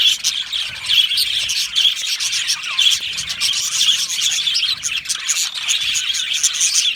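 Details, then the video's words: Budgies in an aviary colony keeping up a continuous high-pitched warbling and squawking chorus, many voices overlapping evenly throughout. "Beautiful Budgie singing and chirping sounds"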